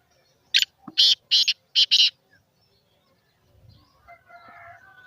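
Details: Calling black francolin (kala teetar), used to prompt francolins to call: five rasping, scratchy notes delivered quickly in under two seconds, then near silence with faint tonal calls in the background.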